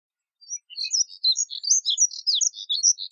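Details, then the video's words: After a brief silence, Moussier's redstart launches into a fast, jumbled warble of high chirps and thin whistles that builds and continues to the end. "Colirrojo Diademado Canto! Colirrojo Diademado Llamado! Voz! Sonido!"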